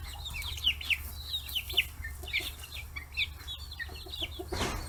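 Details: Chicks aged 40 days swarm fish heads on a free-range farm in Hiroshima, Japan, giving quick, piercing peeps in irregular bursts, several birds at once, with a rustling burst near the end and a low hum.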